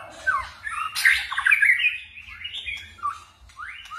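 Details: White-rumped shama in forest-voice song: a harsh rasping burst, then fluty whistles and upward-sweeping notes, with sharp clicks between phrases.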